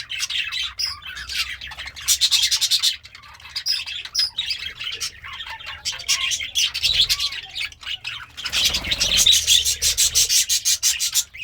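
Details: Happy budgie eating greens sings in a series of chattering bouts: rapid ticking chirps, squeaks and short whistled notes in spurts a second or two long, with a brief rustling noise late on.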